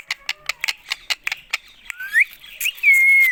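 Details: Indian ringneck parakeet, a pet parrot, giving a rapid run of short clicking chirps, then rising whistled slurs and a long sustained falling whistle at the end.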